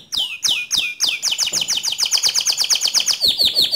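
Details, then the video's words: A canary's provoking 'ngerol nembak' song: three slow, sweeping whistled notes, then a rapid series of repeated downward chips ending in a lower, quick trill. "Pancing Emosi Kenari Anda Agar Cepat Ngerol Nembak Seperti Kicau Kenari Ini"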